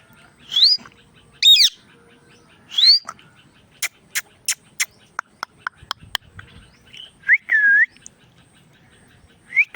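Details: Indian ringneck parrot making sounds: sharp rising whistled notes, some doubled, then a quick run of about ten dry clicks, and more short upswept whistles near the end.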